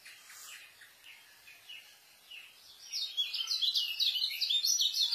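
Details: White-eye delivering dense 'speed' song for tutoring new birds; a few soft scattered chirps open, then a loud, rapid stream of high twittering notes fills the last two seconds.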